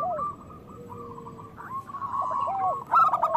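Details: Zebra doves, local type, in stimulating song for lazy or moulting birds: a long low whistled tone and soft clipped notes, lower arched coos, then a sudden loud burst of rapid cooing at the end.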